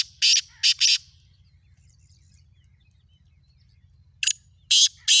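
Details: Morning call of a black francolin, recorded 3 April 2024: a burst of three rasping notes, a long pause, then three more harsh grating notes, over a steady low background hum.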